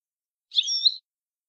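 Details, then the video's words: Shami goldfinch, the Syrian type of European goldfinch, in approved song-language 31: a brief, high, buzzy trill of about half a second with louder notes at its start and finish, against silence. "لغة حسون شامي معتمدة 31"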